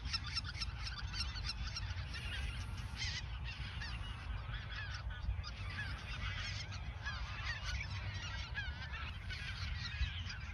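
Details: Autumn flock of geese at the Ochsenmoor nature reserve days before heading south in 2022, calling constantly in a thick mass of overlapping honks, some louder bursts, over persistent low-frequency wind noise.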